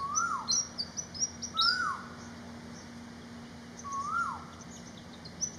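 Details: Malaysian pied fantail singing an excited string of high, thin, squeaky notes over the first two seconds. Another bird gives three lower, rising-then-falling whistles spaced through the recording.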